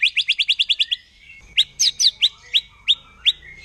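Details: Wild forest white-rumped shama in 'nembak' song, provoking other shamas: eight quick rising whistles in one second, a pause, then louder separate sharp whistled notes spaced about a third of a second apart.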